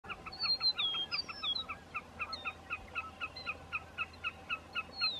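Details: Wilson's snipe calling for a mate at Roy Johnson Wetlands near Cloverland, Wisconsin: a steady series of short, clipped, two-toned notes about four per second, with a meadowlark's slurred high whistles in the background.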